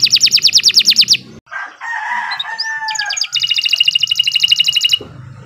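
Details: Kenari nusantara, a canary, in long continuous song offered as a master model for training other birds: rapid high trilled notes repeated about three per second, a break of lower buzzy harsh notes, then another fast trill.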